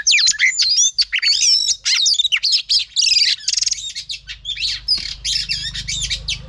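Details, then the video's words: Female oriental magpie-robin in full song to stimulate a male: dense, fast run of high looping whistles, chatters and a buzzy rattle, continuous and loud, fading slightly toward the end. "chòe than mái HUÝT KÈM THÚC TRỐNG.chòe than mái kích trống căng lửa.chim chích chòe than mái hót"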